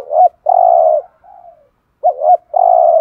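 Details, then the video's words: Spotted dove coos to excite other doves into calling, close and clear: a wavering note and a long drawn coo, a faint trailing coo, then the same pattern again. "tiếng chim chim cu gáy kích bổi nhanh gáy"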